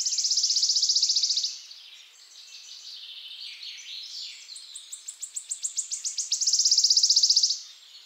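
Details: {'text': 'Wood warbler (Phylloscopus sibilatrix) singing: a loud shivering high trill, softer scattered notes, then a rapidly accelerating run of sharp ticking notes that merges into another long shivering trill.'}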